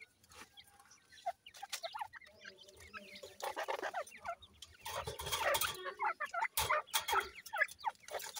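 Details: Grey partridge chicks at play keep up a busy stream of thin, high cheeps and short chirps, several overlapping, with bursts of rustling and scratching.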